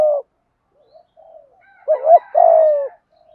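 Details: Malaysian spotted dove cooing 'thúc gù': the end of a coo, some faint soft notes, then one full phrase of a wavering double note and a long descending coo.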